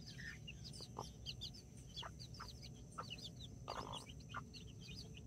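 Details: Nine chicks with two mother hens in a backyard, four mini chickens and five Brahma chicks, October 24th 2024: continuous thin, twittering chick peeps with scattered short low clucks and a rumbling background.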